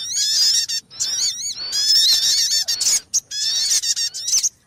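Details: Lure recording of a Sogon bird used for trapping: strident, squealing calls rich in overtones, pouring out in long unbroken runs, then short clipped bursts near the end.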